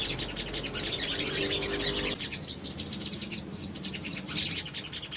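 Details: Little spiderhunter singing, used as a lure for other birds to answer: high piercing chirps, then a run of about seven quick, arched, whistled notes repeated evenly, closing with another sharp burst.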